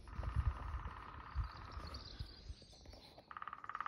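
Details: Lesser spotted woodpecker at Dalby, Sweden, 19 April 2022, gives a quick run of even, piping 'kee-kee-kee' notes near the end, over a steady tone and heavy low rumble of wind.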